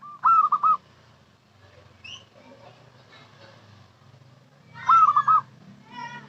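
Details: Local zebra dove lure call: two loud bursts of quick stuttering coos several seconds apart, over a low background of murmuring voices and faint rumble.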